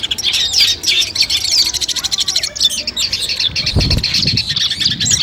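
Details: Long-tailed shrike song for pre-competition training: fast rattling series of high repeated notes and twittering, interrupted by a couple of dull low thumps toward the end.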